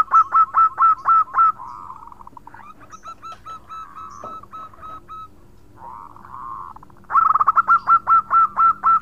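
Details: Local zebra dove in full song, calling to its companions in a chattering 'khong' style: loud bursts of rapid, evenly spaced cooing pulses at the start and end, with softer rolling trills between them.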